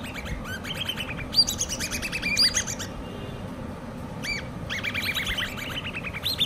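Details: Common babbler chicks, hand-reared, uttering quick strings of high chirping notes in clustered bursts separated by brief quieter gaps, over a steady low-pitched hum.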